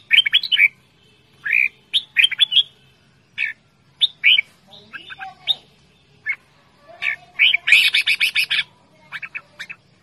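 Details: A kept red-whiskered bulbul calls loudly, with bright, bubbly chirps in short bursts of two to four notes, then a harsher, rapid chattering run near the end.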